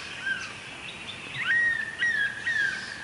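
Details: At dawn, a stork-billed kingfisher perched over a pond calls: a series of clear whistled notes, each rising sharply then drawn out and falling slightly, repeated roughly every half second against a faint background of other birds.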